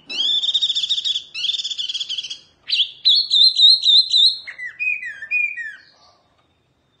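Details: Oriental white-eye of the 'wambi mini' style, singing vigorously: rapid, high, scratchy twittering runs, then a sharper chattering phrase and a few descending whistled notes, with no other sounds.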